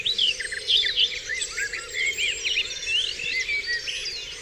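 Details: Dawn chorus on Dewlands Common: many birds singing at once, a dense tangle of high whistles, trills and chirps overlapping without pause, with a steady low hum underneath.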